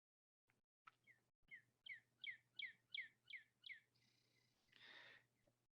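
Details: A Northern Cardinal gives its chip note, a contact call, sharp and high about three a second, each a quick falling double tick, with a low hum and a brief rush of noise at the end.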